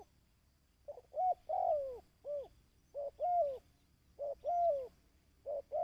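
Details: Steady series of dove coos for training decoy birds: each phrase pairs a short note with a longer arching, downward-sliding coo, repeated four times at about one-and-a-half-second intervals.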